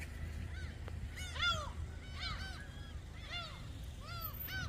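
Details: A flock of gulls crowding around a man tossing shrimp snacks at Dolmeori Beach, Hampyeong, Korea: repeated short, arched, nasal mewing cries roughly every second, several birds calling over a steady low rumble.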